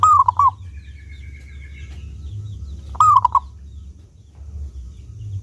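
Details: Local zebra dove, an eager, clear-voiced singer used to lure other doves into singing, repeats a short cooing phrase twice about three seconds apart, low rounded notes followed by a quick bubbling trill; steady low hum beneath.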